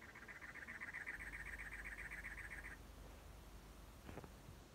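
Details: In the Arizona desert, a cactus wren gives a harsh, grating chug-chug-chug, about four notes a second, for nearly three seconds, over a low rumbling background with a single knock near the end.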